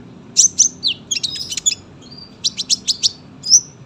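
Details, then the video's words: Tame sunbird, song meant for tutoring young birds: sharp high chips and brief twitters in two clusters, split by a thin whistle, ending on a single bright rising note. "KOLIBRI GACOR PANJANG SUARA RAPET"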